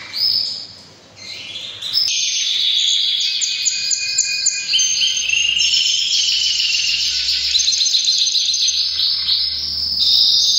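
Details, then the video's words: Breeding-season song of a canary: after a quiet opening, a dense, loud run of rapid trills and rolls starts, layered at several high pitches and shifting every second or two without pause. "Canary bird most powerful singing during breeding season"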